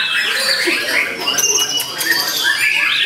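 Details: Eight- to nine-month-old white-rumped shama raised for song contests, delivering a rapid tangle of bright whistled slurs and rasping notes in one brief, unbroken burst.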